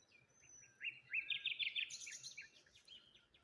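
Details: Morning birdsong near water and a lone tree: a lively stretch of fast, jumbled high chirps and twitters lasting about two seconds, fading into softer scattered notes.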